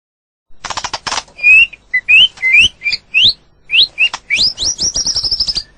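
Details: White-rumped shama, known in Thai as nok binla or kangkhen dong, singing in nature: a burst of sharp dry clicks, then clear rising whistled notes, each slurred upward and repeated with short pauses, ending in a quick high twittering run.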